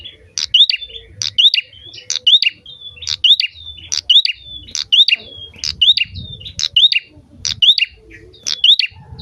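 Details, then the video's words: Prinia singing steadily to encourage other birds to sing: about ten repeated phrases of a piercing note, a rising whistle and a thin drawn-out tail, roughly one per second, over faint low rumble. "prenjak gacor cocok buat pancingan burung"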